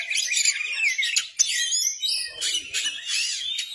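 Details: Kacer (Oriental magpie-robin), a lively bird in full song with its tail fanned, delivers a dense stream of bright whistled slurs, trills and sharp chirps. The notes tumble without pause and shift constantly in pitch.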